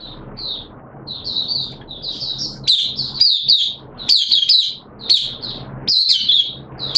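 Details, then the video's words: Hobby oriental white-eye in a cage, singing its opening song during wet weather, 6 September 2022: scattered high twitters building into a dense run of bright, rapid slurred notes, with faint background hum. "Mata Puteh T Rex Buka Sing"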